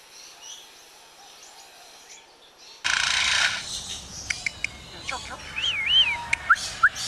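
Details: A lyrebird mimics construction sounds, apparently from workmen installing galvanized corrugated sheeting: a harsh burst of noise, then sharp clicks, snaps and a wavering, warbling whistle, after a near-silent start.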